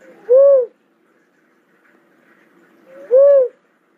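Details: Two soft, arched cooing whoops from a cuckoo-dove, nearly three seconds apart, the pauses filled only by faint hiss.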